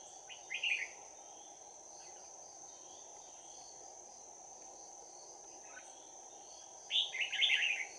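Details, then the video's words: Trapped red-whiskered bulbul with a bell-like voice, Đồng Nai, 11 January 2019, fighting at close quarters; two brief clusters of chirpy warbled notes eight seconds apart, long quiet gap between, steady high hum and low rushing noise throughout. "Bẫy chào mào Giọng chuông đấu giáp lá cà"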